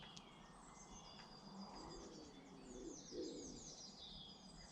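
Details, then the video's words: Birdsong from British garden birds: a busy chorus of high, quick twittering phrases and slurred whistles, with a faint low coo near the end and a steady ambient hiss. "Garden Birds"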